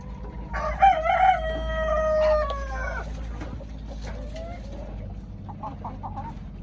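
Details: Chickens: a long, loud, harmonic crow rises, holds for about two seconds, then slides down and fades. Soft clucks and scattered clicks follow over a steady low hum.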